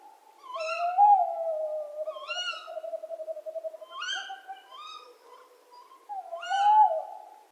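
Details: Tawny owl pair duetting: the female's sharp, nasal kewick calls repeat every second or two while the male answers with a lower, wavering hoot.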